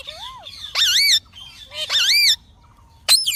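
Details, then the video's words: Green parrot giving a soft rising-falling whistle, then two long loud squawks with wavy harmonic tone about a second apart, and a final sharp squawk after a pause. "Mithu Ki Awaj"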